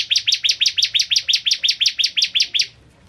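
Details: Energetic song of a bar-winged prinia (ciblek kristal) used as a tutor recording: a fast, even burst of about sixteen high, piercing downslurred notes lasting under three seconds, then silence.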